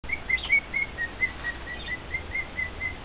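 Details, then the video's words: Male cockatiel kept as a pet singing to two other cockatiels indoors: a run of short clear whistled notes near one pitch, repeated steadily about every quarter second, with a faint hiss in the background. "Maui's Serenade"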